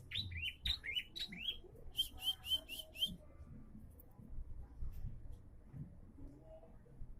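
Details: Energetic bar-winged prinia song: two fast series of bright, high, down-slurred chirps in the first three seconds, the second series evenly spaced, followed by quieter low background noise.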